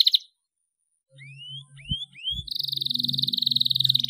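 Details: Canary song serving as a lure to get other canaries singing: a brief buzzy burst, silence, three rising whistled slurs, then a long rapid pulsed trill over a low background hum and a couple of thumps.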